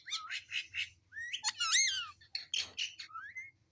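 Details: Domestic talking parrot repeating its name in a sweet voice: short bright speech-like syllables, a stronger rising-then-falling phrase mid-way, a brief harsh rasp, then a small rising whistle-like note.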